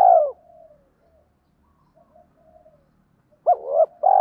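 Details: Spotted dove decoy calling wild doves: a loud falling coo opens, then long near-silence with faint soft murmurs, before a hooked note and a sustained mellow coo return at the end.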